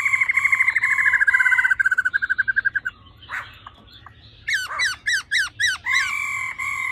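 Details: The 'ro ro' of a female laughingthrush, played to rouse males: a rapid throbbing trill sliding slightly down, a soft rasp, then five sharp rising-falling notes and a steady whistle.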